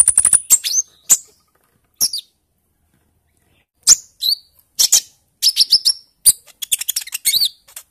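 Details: Bali myna lure recording from a chorus of many birds, early-stage 'ijoan trotol' style, meant to prompt other birds to sing: sharp high chirps and whistled notes in quick bursts, with short silent gaps.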